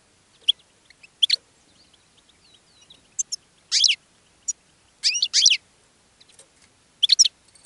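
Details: Caged European goldfinch singing and attracting other goldfinches: scattered bright, high twittering bursts and short chirps separated by pauses of about a second.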